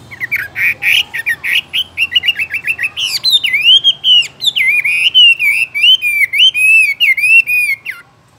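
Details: A Chinese hwamei kept in a cage sings a rapid string of short whistled notes that gives way to loud, looping, rising-and-falling whistled phrases and sharp high flourishes.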